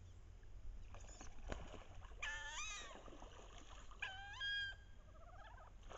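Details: Wood duck hens on a bayou during the late-October mating ritual, paired birds chasing and posturing with heads down to entice drakes; two loud rising, squealing harmonic calls, then a softer trailing series, over a steady low rumble.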